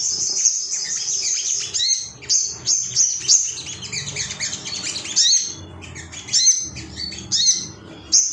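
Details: Male ruby-cheeked sunbird in an excited, rival-seeking mood, used to spur caged birds into song: long spells of very high, hissy twittering broken by short pauses, then scattered sharp chips.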